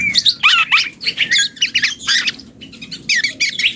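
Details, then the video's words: Juvenile black-and-yellow oriole practising its song, giving a rapid jumble of scratchy chirps, squawks and bright whistled twists, delivered almost without pause. "KEPODANG HUTANG muda||belajar ngoceh"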